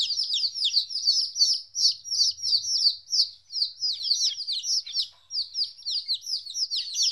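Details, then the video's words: Two-week-old domestic chicks, first time without their mother, peep continuously in high, thin, downslurred notes, many at once and in fast succession, with one short pause near the end. "Chicks Chirping Sounds - Baby Chicken Sounds"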